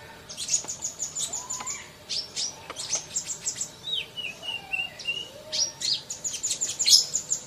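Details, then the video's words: Sunbird singing fast: rapid bursts of very high, thin chirps and trills, with scattered sliding whistles lower down and short pauses between phrases. "Masteran Kolibri cepat bunyi!!"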